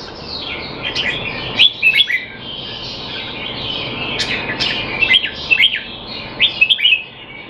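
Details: Red-whiskered bulbul in a cage in Singapore, being trained while not in form, 25 December 2020: clusters of sharp, bouncy whistled notes with quick upward and downward slurs, delivered in short bursts separated by pauses, against a constant hiss.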